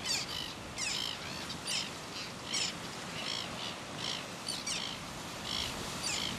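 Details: Red-billed gull calling to its mate at Ruamahunga, New Zealand, on 18 October 2015, giving harsh, high, rasping squawks about once a second in uneven bursts over a steady outdoor hiss.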